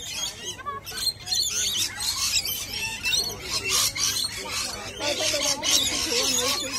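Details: Rainbow lorikeets, a very noisy gathering, give dense, shrill, harsh screeching and chattering that overlaps continuously and pulses in bursts throughout, while people talk in the background.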